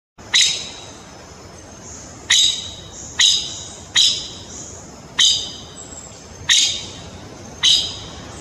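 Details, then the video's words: Palawan peacock-pheasant gives seven sharp, harsh, shrill calls spaced one to two seconds apart, over a faint steady background hiss. "Palawan Peacock-Pheasant bird sounds"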